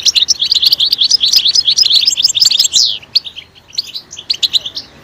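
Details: European goldfinch singing loudly, played to stimulate other goldfinches to sing; rapid, dense twittering of high tinkling notes, many per second, with a brief descending slur near the middle and a slightly quieter close.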